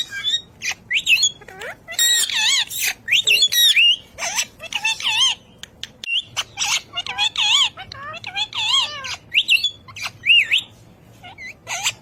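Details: Ring-necked parakeet talking in a steady stream of short, high, warbling syllables, each with sharply wavering pitch, broken by brief squawks and clicks. The bursts run almost continuously for twelve seconds, with a single short pause midway.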